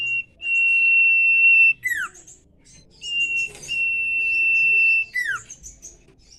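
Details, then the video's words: Common iora in nyiul-style song: two long, even, level whistles, each closing with a sharp falling slur, mixed with high twittering notes and a brief burst of rustling. "Cipoh Nyiul Ganas"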